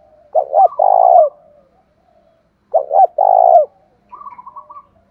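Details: Captive spotted dove used as a lure, giving thổ pha style coos meant to provoke rivals. Two strong phrases, each a double hoot then a long rolling coo, arrive about three seconds apart, then a quieter, higher trilled note.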